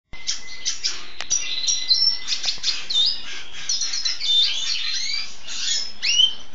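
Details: Red siskin × canary hybrid (pastel red mosaic agate canary cross) singing a continuous, high, rapid warble of twittering trills and buzzy notes, almost without pause, over a faint steady hum.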